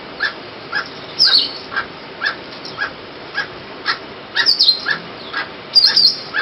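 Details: Forest barbet repeating short, hollow notes at an even pace of roughly two per second, while sharper high-pitched squeaks and chirps from other wild fruit-eating birds break in now and then.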